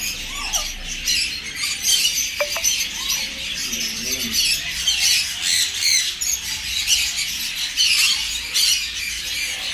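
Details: A captive, close-ringed adult bonding pair of black-capped lories gives harsh, grating screeches and squawks almost without pause, dense and high-pitched, with a few softer chattering notes underneath.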